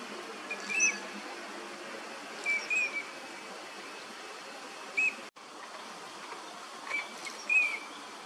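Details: Eurasian teal in a park pond in Chiba, Japan, January, wintering migrants, giving short, clear, piping 'krik' whistles, singly or in quick pairs every couple of seconds, over a steady background hiss.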